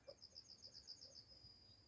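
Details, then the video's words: Grey partridge chicks peep in a rapid run of thin, very high notes, about eight per second and trailing off, over a faint low rumble. "Koroptev polní-kuřata"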